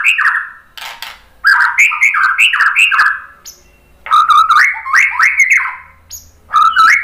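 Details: White-rumped shama lure song used to provoke other birds to sing. Loud varied whistled phrases of quick sliding notes come in three bursts, separated by short quiet gaps.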